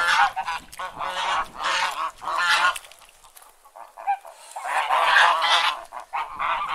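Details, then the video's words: Domestic geese calling in bursts of raucous, nasal honks, a quieter lull in the middle, then another loud cluster of overlapping honks from several birds. "Domestic Geese Sound"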